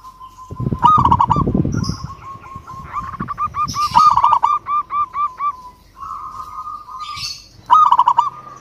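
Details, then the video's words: Local zebra dove singing excitedly to challenge a rival, bursts of quick, rounded cooing notes in a long rolling series, opening with a low rumbling thump, with an even tonal drone filling the gaps. "Perkutut Lokal GACOR Suara Ampuh MEMANGGIL Lawan Langsung BUNYI Emosi MANGGUNGG"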